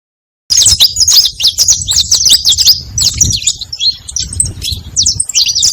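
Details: Saffron finch song played to attract other saffron finches: after a brief silence, a dense, continuous stream of sharp, high chirps and quick twittered notes runs unbroken, with a faint low rumble underneath.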